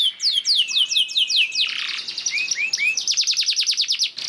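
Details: Canary lure song for prompting other canaries to sing: a string of falling whistled swoops, a rough buzzy stretch, three upward slurs and then a fast, even trill.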